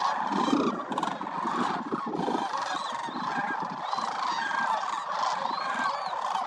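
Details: Wintering migratory sandhill cranes at Willcox Playa Wildlife Area, a gathering of more than 20,000 birds, fill the air with a dense, continuous chorus of rolling, trumpeting calls, many voices overlapping without pause.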